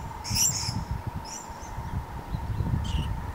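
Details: Purple-crowned lorikeets feeding on nectar in Numurkah, Australia, in 2015; three brief, very high, harsh screeches spread over three seconds, over a constant tonal hum and low background rumble.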